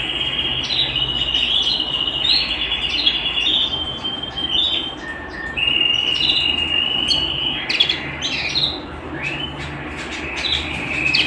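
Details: Pet canary song recorded at home: long sustained trills held steadily, then jumping to higher or lower pitches, with short squeaky bursts and chips breaking the rolls over several seconds; a faint low hum lies beneath.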